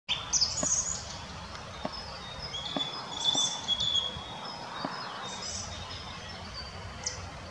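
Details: Fieldfare adult with young in Munich Botanical Garden: thin, high chirps and short harsh notes scattered irregularly over a steady hiss of background noise.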